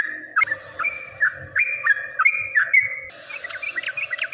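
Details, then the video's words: Yellow-vented bulbul song for provoking rivals, used as a lure: bubbling whistled phrases near mid pitch, short rising and falling notes in quick runs, then a faster chattering burst at the end. "trucukan gacor TARUNG ROPEL PANJANG pancingan trucukan agar bunyi jadikan burung trucuk gacor EMOSI"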